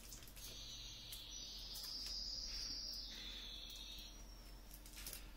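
A canary sings a high, fast, rolling trill that rises in strength and lasts about four seconds, with a low hum and faint clicks behind it.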